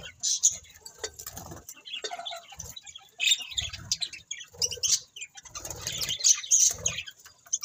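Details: Pet budgerigars give scattered high chirps and sharp squeaks in bursts separated by short lulls, mixed with muffled low thuds that suggest fluttering or movement.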